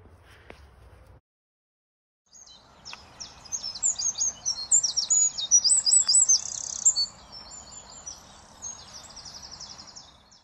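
A wren pours out a loud, high, rapid song of sharp notes and rattling trills for about eight seconds, after a brief quiet start.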